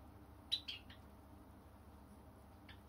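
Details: Pet Java sparrow giving a few short, high chirps, a quick pair near the start and one more near the end, over a quiet, steady low room hum, with no background music.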